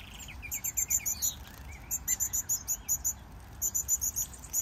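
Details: A Gouldian finch chick begs for food with rapid bursts of thin, high, scratchy chirps, about five or six a second, while the adult pair drinks water nearby and gives lower chattering notes.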